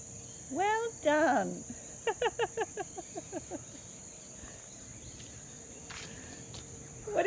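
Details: Grey butcherbird fledgling in Australia chatting: two loud downslurred harsh notes, then a fast series of about eight short clipped notes slowing and fading, a few clicks afterward, steady background hum.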